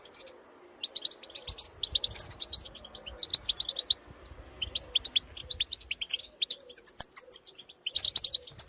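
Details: European goldfinches out in the field calling to others of their kind: scattered bursts of quick, bright twitters and chirps over soft background murmur.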